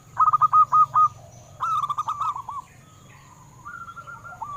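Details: Local zebra doves singing to stimulate captive doves: a loud burst of five rapid rolling notes, then a second overlapping series and softer drawn-out coos trailing off, with a constant low hum behind.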